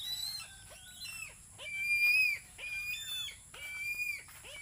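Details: Philippine eagle calling early in the morning, eager for breakfast: a run of high, thin whistled notes, several gliding up then down, repeated in bursts over a faint steady hiss.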